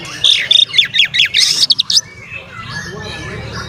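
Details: Oriental magpie-robin song to trigger other magpie-robins: a fast series of about a dozen sharp, clipped high notes over two seconds, then softer rambling whistles fading out above a low hum.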